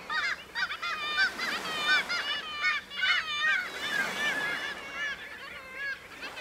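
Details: Kittiwakes at breeding cliffs at Bempton Cliffs, East Yorkshire: a dense colony chorus of nasal, wavering calls repeated rapidly, many birds overlapping in bursts that swell and fade over a steady background roar.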